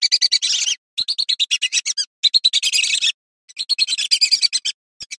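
A female lesser whistling duck gives rapid, high, clear whistled notes in quick chattering bursts of about a second, with short silent breaks between them.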